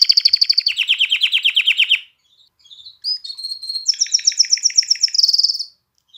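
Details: Canary song for stimulating hens to mate and chicks to sing: a rapid high trill dropping into a lower buzzy rattle, a short pause, scattered faint notes, then a bright level whistle leading into a long pulsed trill.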